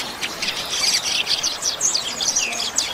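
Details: Double-collared seedeater in the 'chuva' song, used for training captive birds: a fast stream of high, sweet chirps and buzzy slurs, densely packed and continuous.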